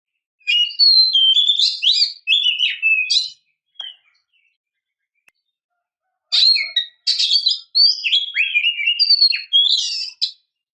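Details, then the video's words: A female Oriental magpie-robin calls to draw caged males into song: a lively phrase of fast whistles and buzzy chatter, a three-second silence, then a second, longer phrase of the same rich mixed notes. "kicau burung kacer memanggil - pancingan kacer agar bunyi"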